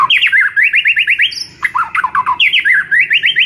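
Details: White-rumped shama master song used to get a silent bird singing: an almost continuous run of fast, rising whistled notes repeated many times, broken once by a brief descending series.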